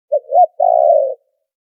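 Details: Spotted dove giving a trapping lure call with background noise filtered out: short hoot, smoother rising second note, then an extended wavering coo lasting about half a second.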